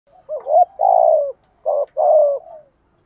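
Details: Spotted dove decoy birds, male and female, giving the urging 'gù thúc' and calling coos. Two phrases of low, hollow coos: a short rising note followed by a longer drawn-out note that slurs downward, in a quiet setting.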